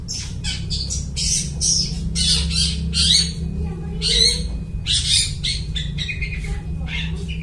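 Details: Long-tailed shrike singing loud harsh imitations of other birds, a song used to lure birds for catching; grouped squawky bursts with short pauses, plus a thin steady whistle tone and low hum behind.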